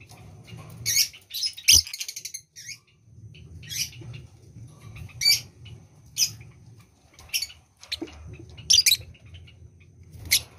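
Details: A lovebird in breeding condition utters scattered shrill, rasping chirps, single bursts spaced irregularly every second or two, with one louder double burst at the start and a soft background hum.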